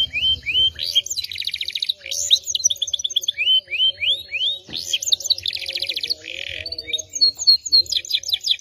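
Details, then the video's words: Singing canary in cengkok style: chains of rising whistles alternate with dense buzzy trills and sharp chirps, varied and continuous throughout. "Cengkok Kenari Paling Mewah 2022"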